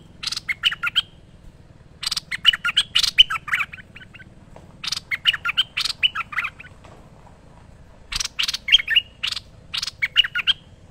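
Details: Merbah lekir bulbul in vigorous song for training: four short phrases, each opening with rasping, noisy notes and ending in bright, liquid whistles, spaced about two seconds apart over a faint low hum.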